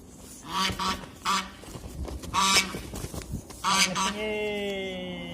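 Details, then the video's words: Male goose defending its female, giving loud, nasal, strongly harmonic honks: several short blasts in quick pairs, then a longer, steady, drawn-out honk to close, over faint background noise. "Nar g‘oz urg‘ochisini himoya qilmoqda"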